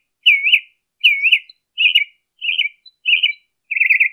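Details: Northern mockingbird in Colton, California, recorded 23 March 2015, delivering a repeated phrase of clear, warbling whistled notes that rise and fall, six times at intervals of under a second, the last one becoming a quick trill.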